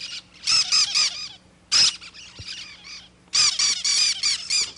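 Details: Loud close cactus parakeet chatter: runs of shrill, grating squawks repeated rapidly in three long bursts with brief gaps, harsh and scratchy throughout.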